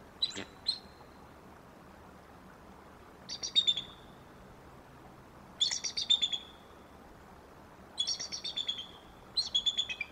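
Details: Bald eagle at the Decorah nest calling at 4:05 am to wake its mate, dated 01-08-2023; five bursts of high, thin chittering notes, each a quick stuttered series trailing off, separated by a few seconds of quiet.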